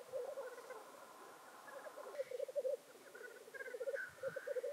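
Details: Lekking black grouse near World's End, North Wales, 25 February 2019, give a bubbling, pulsing cooing chorus with repeated harsh sneezing hisses scattered across the nearly five seconds.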